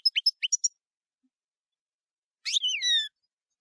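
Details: A European goldfinch gives camper-style song. Six crisp, rapid chirps open the phrase. After a pause comes one longer buzzy note that slides downward. The setting is otherwise quiet.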